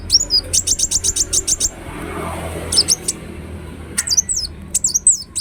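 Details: Ruby-cheeked sunbird (kolibri wulung, Indonesia) giving a fast run of sharp, very high ticking notes, a pause, then scattered squeaky high-pitched twittering sweeps with faint background hiss.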